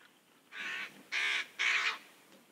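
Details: Crows and ravens calling by a pond in Kuhmo, Finland, near the Russian border, as two bears forage nearby; three harsh, rasping caws in quick succession, each about a third of a second, the last two loudest.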